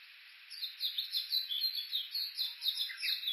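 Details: Japanese bush warbler recorded with an Olympus Voice-Trek V-82 while walking along the Uguisu Road at the foot of Mount Yakushi, Kuka, Suo-Oshima, Japan: a series of short chattering notes repeated about three times a second, over a steady high hiss.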